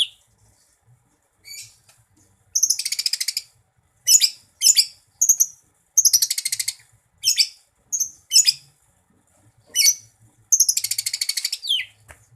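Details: A Greater green leafbird, a cucak ijo kept as a songbird, sings energetically in the gacor style: high, buzzy rattling bursts of rapid notes, each lasting up to a second, separated by short silences.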